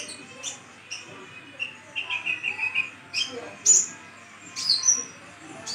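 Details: Sumatran sunbird, brown-chested, long kept in captivity and moulting yet singing actively: high, thin chirps and short sharp notes, with a run of quick trilled notes in the middle and louder bright whistles near the end.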